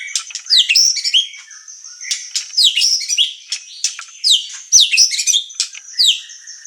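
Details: White-rumped shama (murai batu) used as a master and emotional lure: loud bursts of sweeping, slurred whistles and chatter repeated in phrases about a second apart.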